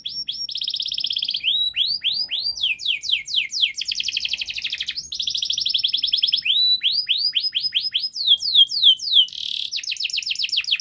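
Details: Canary singing a long, rapid, tightly packed song meant to coax juvenile canaries into full song: repeated upslurred whistles, fast dry rattles and buzzy trills in quick succession, loud and clean.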